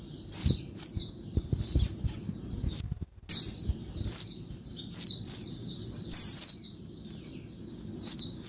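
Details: Female Oriental white-eye calling noisily in daytime to stir males into singing: high, thin, downslurred chirps in rapid clusters, with a brief silent gap near three seconds and faint low rumbling underneath.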